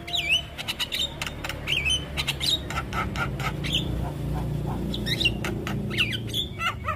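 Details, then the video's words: Javan myna singing for young birds to learn: twisting whistled notes broken up by scratchy clicks and rasps, over a steady low background hum. "Suara Jalak kebo MAsteran Buat Pancingan Burung Jalak Kebo Muda"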